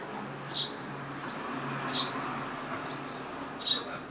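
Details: A small flock of sparrows calls with clear high chirps sliding downward, one strong note roughly every one and a half seconds alternating with quieter, shorter chirps, in a calm outdoor setting.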